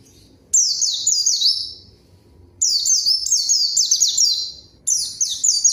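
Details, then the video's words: White-eye lure song for drawing a rival and starting silent birds singing: lively runs of high, twittering, descending whistles in three bursts, the middle one longest and densest. "PANCINGAN PLECI GACOR MANGGIL LAWAN COCOK UNTUK PLECI DIAM AGAR CEPAT BUNYI DAN GACOR"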